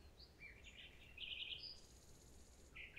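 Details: Common nightingale singing a jumbled run of varied chirps and a bright scratchy burst, then a thin, high sustained trill lasting about a second, ending with a couple of loud clipped notes.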